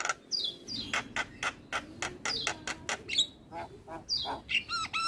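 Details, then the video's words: Male Javan myna (jalak kebo), a highly vocal 'gacor' bird used as a master song for training other birds, giving harsh broadband notes and descending whistles in quick irregular bursts, with a low steady hum behind. "Masteran Jalak Kebo terpopuler - Jalak Kebo Jantan Super Gacor Manggut2"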